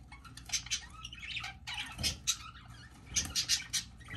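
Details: Newly hatching budgerigar chick: clusters of shrill, piercing peeps and short scratchy squawks in uneven bursts separated by brief pauses, over faint rustling and a steady low hum.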